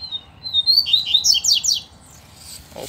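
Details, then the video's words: A wild double-collared seedeater, black with a blue bill, sings against caged males: a whistled introduction rising into a quick series of slurred buzzy notes, ending with a brief low knock. "Coleiros Altas Horas e Braddock Cantando e Disputando Com o Coleiro Solto!!!"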